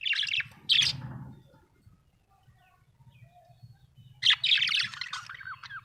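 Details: Happy budgie chirps in two groups, quick scratchy high notes at the start and a longer warbling chatter later, with low background rumble between.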